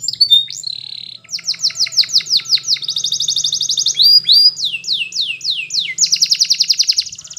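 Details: Training song of a yellow Spanish Timbrado canary: series of sharp, downward-sweeping metallic notes repeated several per second, alternating with dense rolling trills, with a faint low hum underneath.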